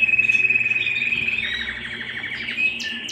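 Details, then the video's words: Domestic canary song indoors: a steady high whistled note first, then a rapid rolling trill of repeated notes about four per second, ending in sharp chirps and a brief sweeping whistle. "canary bird - canary singing - canary sounds - canary singing at home"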